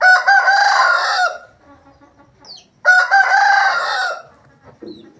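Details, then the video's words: Two loud, rasping crows from an Aseel rooster, each held about one and a half seconds and tapering off at the end, separated by a quiet pause with faint low sounds. "Asil Rooster Sound Effect |Aseel Roosters crowing Compilation | aseel murge ki awaaz"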